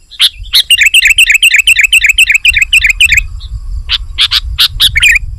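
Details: Sooty-headed bulbul giving a fast, even run of repeated high twittered notes, about four per second, followed by a few separate sharp chips, over a low rumbling background.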